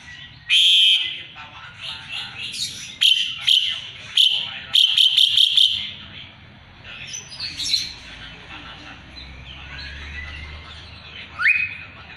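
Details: Asian pied starling singing actively, used to teach song to magpie-robins; loud bursts of harsh, rattling chatter mixed with shrill whistles come in clusters, with short quieter gaps and a rising whistle near the end.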